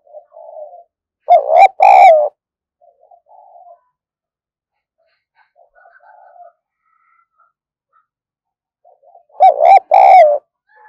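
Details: Caged decoy spotted dove, very vigorous and used to provoke wild doves; two loud, harsh two-part cooing bursts about eight seconds apart, with soft, low cooing murmurs between them.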